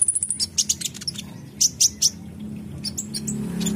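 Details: Purple-throated sunbird (kolibri ninja) in full, active song: rapid thin high chirps and sharp ticks, a quick trill opening, then three bright accented notes near the middle, over a low steady hum.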